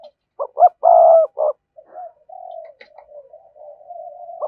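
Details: Spotted dove coo phrase meant to excite wild doves: short clipped notes and a long loud buzzy coo, then a run of soft, wavering low coos trailing off.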